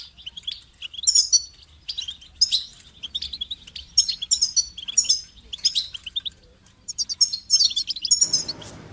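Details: Goldfinch singing phrase after phrase of bright, tinkling twitters and chirps, with short breaks, ending in a brief rustling noise.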